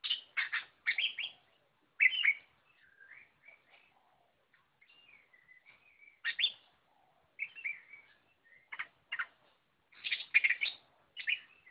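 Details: Oriental magpie-robin singing at full tilt, mixing loud clipped scratchy notes with softer sliding whistles and quiet warbled passages, then renewed strong bursts of rapid varied phrases toward the close.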